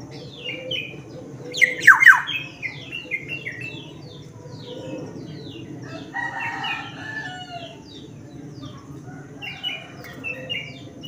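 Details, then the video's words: Black-naped oriole from Sumbawa giving quick runs of short, falling whistled notes, several a second, with a louder sweeping burst early on and faint chirping from other birds behind. "suara Asli kepodang"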